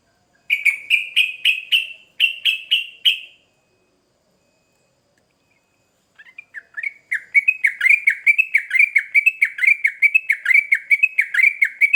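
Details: Sooty-headed bulbul, used as a lure to draw replies from other birds: a burst of rapid, bright chirps with rising upticks, a pause of a few seconds, then a longer run of quick chattering notes repeated about once a second.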